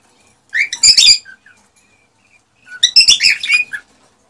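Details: Male cockatiel in excited breeding song aimed at prompting a female to mate: two short bursts of harsh, chirpy warbled notes about two seconds apart, separated by near silence.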